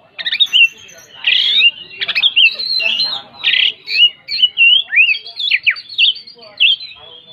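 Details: Oriental magpie-robin (kacer, Tretes type) singing in 'ngeplong gacor ngobra' style: dense chattering sequence of high whistles, harsh rasping notes and steep slurred phrases, barely pausing across seven seconds.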